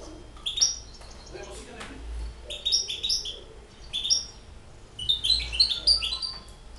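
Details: European goldfinch, six months old, singing: bright twittering phrases of high tinkling notes in bursts, with faint background noise and low rumble.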